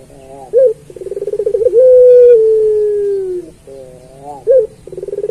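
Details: Puter pelung turtle dove singing as a master for other pelung doves: stacked wavering notes, a short sharp hoot, a fast pulsed trill and a long descending coo, with the sequence starting again.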